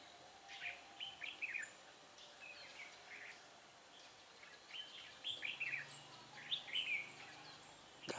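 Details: Red-whiskered bulbul song from a trapping setup, 10 December 2016, with the decoy calling wild birds in; fairly soft chattering warbles in two clusters over faint background hiss, ending with a sharp knock.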